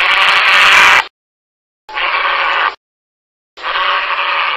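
Three harsh, rasping grey heron croaks, each about a second long, separated by short silences.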